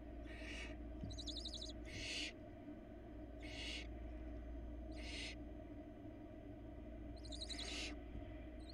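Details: Florida nest-cam recording of four barn owl nestlings begging as the adult female arrives with a rabbit: repeated coarse hissing screams about a second apart, interleaved with short high twittering trills, steady background hum.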